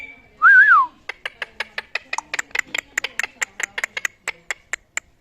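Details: Talking ring-necked parakeet kept as a pet: one loud wavering whistle, then a long series of sharp, clicking chatter notes repeated about four times per second until the end.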